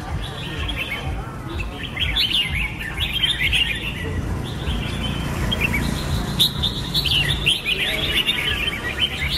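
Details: Red-whiskered bulbul calls: bright, bubbly warbled phrases of short rising and falling notes, several overlapping in quick succession, over a low background rumble.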